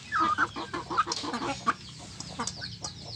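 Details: Village chickens jostling for food: a few clear whistled, slightly wavering squeals stand out over rapid clucks and pecking clicks from a noisy flock.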